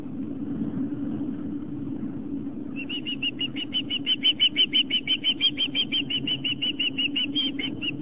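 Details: Osprey at a Long Island, New York nest cam, 4:55 pm on September 11, 2007, during a fish delivery to the nest with two young; constant low hum, then after three seconds a fast run of high piping chirps, roughly three each second.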